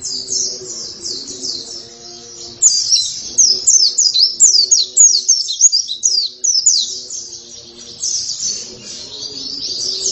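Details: Oriental white-eye singing vigorously (gacor): a rapid, dense stream of high twittering and chattering notes that grows loudest after the first few seconds, with a faint low humming tone running underneath.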